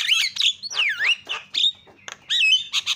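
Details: Short starling song excerpt meant to provoke other birds to sing, with squawky buzzy notes, a clear swooping whistle falling and rising, and harsh scratchy chips.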